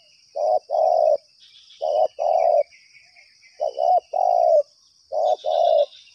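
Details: Spotted dove answering a trapper's lure, calling nonstop: four paired coos, a short clipped note and then a drawn-out warm one, spaced roughly every one and a half seconds. A high insect buzz runs throughout, with scattered twittering.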